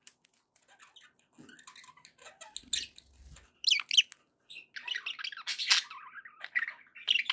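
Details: Pet budgerigars, soft faint twittering at first with light clicks, then louder scratchy warbled chatter and squawky notes building in the second half.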